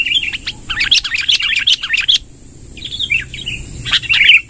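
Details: Long rolling song of a lively sooty-headed bulbul: bursts of quick, bubbly chirps, a pause, then more warbled notes rising near the end, with a constant high-pitched hiss behind.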